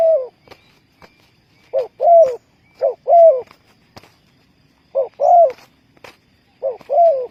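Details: Cooing of a spotted dove used to lure wild doves for trapping: deep mellow two-part phrases, a brief note followed by a fuller drawn-out coo, given in irregular bursts with pauses, plus faint clicks and distant chirps.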